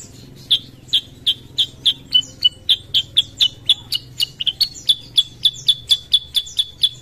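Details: Sooty-headed bulbul (kutilang sutra) lure song for stimulating other birds to sing: sharp, bright chirps repeated about three to four times a second in a steady, slightly uneven series, with faint low hum underneath.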